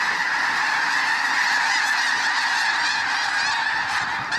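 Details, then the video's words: Over 20,000 snow geese spooked into flight from grazing fields at a refuge, passing low overhead: loud, massed honking with individual higher yelping notes standing out from a continuous clamour. "20,000 snow geese attacking photographer in flying frenzy."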